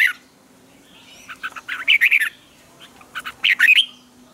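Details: Red-whiskered bulbul morning song with tight twisting double notes, used as a lure-bird training recording: two lively phrases, each starting with a few clipped chirps and ending in rapid, bright, swooping notes.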